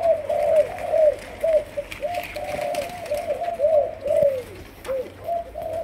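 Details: Spotted dove of Malaysian stock, a young bird being trained as a decoy, delivering a rapid, rolling series of low, hollow coos, some notes slurring downward, over faint background noise.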